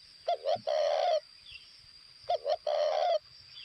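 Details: Decoy spotted dove from Vietnam's northwest cooing twice: two short low notes followed by a longer, level, hollow coo, the phrase repeated after about two seconds over a constant thin high-pitched hum.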